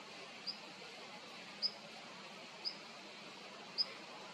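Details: Long-tailed rosefinch (Uragus sibiricus) calling: four short, thin, high-pitched notes spaced roughly one second apart, each a quick clipped pip, over a steady soft background hiss.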